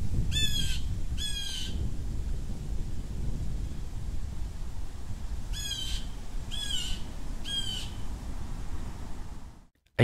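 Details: A Blue Jay gives a mobbing call, recruiting other birds to chase off a predator: harsh, nasal jay calls, two then three in quick succession, over a steady low rumble of wind.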